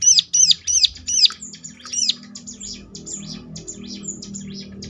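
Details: Bar-winged prinia lure song meant to set off answers from other prinias: several loud, high arched chirps in fast succession, then a softer run of thin buzzy notes over a faint low hum.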